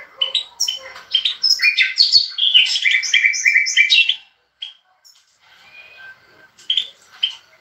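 A goldfinch sings a fast, tinkling jumble of bright chirps and liquid twitters for about four seconds, followed by a few scattered high notes.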